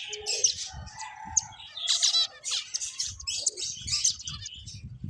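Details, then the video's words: Finches playing, giving a dense chatter of high, short chirps and squeaks overlapping from several birds, with a lower whistled note near the start and soft low thumps underneath. "Cute Birds Chirping Sounds | Beautiful Finches Playing"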